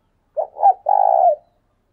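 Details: Spotted dove used as a decoy, cooing in a driving style: a three-part phrase of two quick soft coos and one prolonged, slightly pulsing low note, clean and free of other sounds.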